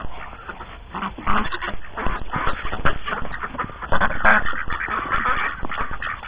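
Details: Domestic ducks on a morning with the first snow of the New Year, hungry and tired of being cooped up, chattering together: a busy run of overlapping nasal quacks and honks, loudest after the first second, over steady low background rumble.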